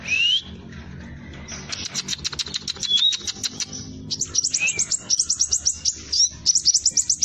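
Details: Scarlet minivet, called sepah raja, in a training-lure song: a rising whistle opens, followed by dense high rapid ticking and then fast rolling series of sharp chips repeated in close bursts.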